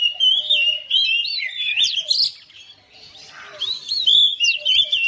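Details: Oriental magpie-robin kept at home, replying to another singer: bright whistled phrases and quick rising and falling slurs, a brief quieter gap midway, then loud varied song resumes.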